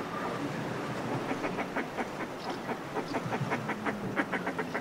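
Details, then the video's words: Northern fulmars in groups displaying on cliff ledges, recorded close: rapid rattling cackles in pulsed bursts, with high brief house martin chirps and the wash of the sea below. "Northern Fulmar / Calls CU From Groups Displaying On Cliff Ledges"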